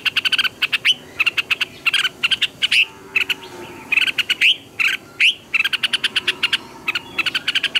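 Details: Red-whiskered bulbul morning song, said to be 'double twisted' notes, used as a lure for training caged birds. Rapid stuttering chirp clusters alternate with clear upward-sweeping whistles, repeated in short phrases with gaps.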